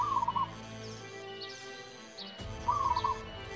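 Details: Local zebra dove singing in manggung style: two short bursts of rapid, stuttering cooing notes about two and a half seconds apart, with faint higher chirps from other birds and a steady background hum.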